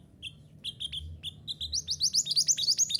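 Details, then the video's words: Mantenan gunung sings on a training recording for caged birds. Spaced single chirps speed up into a quick, steady series of bright rising notes, roughly five each second. "Terapi Suara Mantenan Gunung Agar Cepat Gacor"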